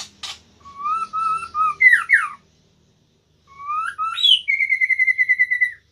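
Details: White-rumped shama singing indoors in a room: clear whistled phrases, level then sharply rising and falling slurs, a pause, then a rising whistle into a long rapid trilled note, with faint low background hum.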